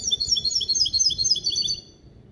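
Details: Caged hybrid of a male goldfinch and female canary, trained to sing a clean limpio-style song built from goldfinch base calls: rapid high twittering phrases of repeated chirps, bright and metallic, running for nearly two seconds before fading into quiet room noise.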